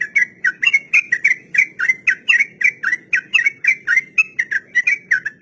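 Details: Continuous 'ropel' song of a sooty-headed bulbul, used to teach untamed captive birds: clear whistled notes repeated rapidly, about four per second, steady in loudness and pitch with slight up-down twists.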